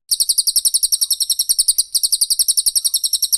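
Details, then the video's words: Songbird training recording of Cililin and Pelatuk Bawang: a continuous series of piercing high notes delivered rapidly and evenly, one barely audible dip midway. "TEMBAKAN RAPAT CILILIN VS PELATUK BAWANG"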